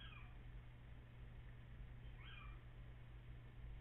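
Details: Little owl calling before dawn on 14 April, perhaps two birds at once, camera recording with echo effects: two brief plaintive downward-sliding mews about two seconds apart, with steady electrical hum and hiss throughout.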